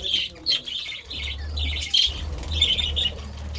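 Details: Several pet budgerigars eating vegetables in a lively feeding session; busy high chirps and warbled chatter in short bursts, with low rumbling background noise throughout.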